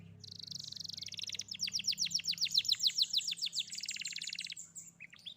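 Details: Young Atlantic canary in full song, used to prompt a silent young canary to sing: buzzy rolls followed by a fast run of repeated downslurred whistled notes, then a trilled ending; faint low hum behind.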